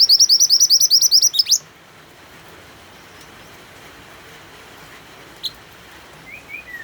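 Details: White-eye (mantenan) song set against rain sounds and used to coax other songbirds into singing: a fast, high, bright twittering burst of closely repeated notes lasting about a second and a half, then quiet with a few faint distant chirps.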